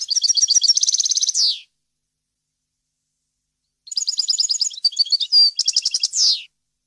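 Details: European goldfinch song recorded for teaching fledglings: a fast twittering trill closing in a harsh buzz, a pause of about two seconds, then varied chirps, a thin whistle and another trill ending in a buzz.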